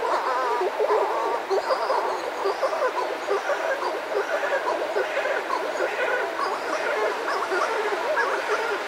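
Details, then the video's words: Close pair of Buller's shearwaters calling outside their burrow, with other birds around: dense, overlapping wavering moans and croaks run without a break, backed by a steady wash of surf. "Buller's Shearwater. CU Calls From A Pair. Other Birds Outside Burrow."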